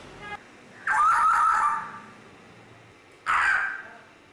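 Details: Grey parrot making two loud, harsh, raspy squawks, the first lasting nearly a second and the second shorter, separated by a quiet pause.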